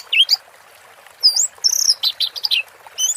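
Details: Orange-headed thrush singing teler-style during water therapy: a few loud whistled slurs, a rapid chattering trill, then high falling and rising whistles, in a short, energetic passage.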